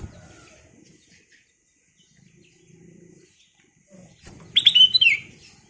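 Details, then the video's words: Kutilang emas, a golden sooty-headed bulbul, singing energetically as lure material: after soft background hum, a sudden short run of liquid, bubbly whistled notes dropping slightly at the end. "KICAU BURUNG KUTILANG EMAS GACOR"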